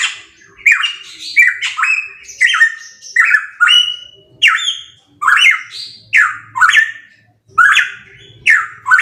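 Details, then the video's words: Loud pitohui song from a songbird training recording: a steady run of brief, rasping whistled phrases, each slurring up then down, given about once per second with short pauses between, over a quiet background. "Masteran Burung Pitohui MP3 _Suara Kenceng"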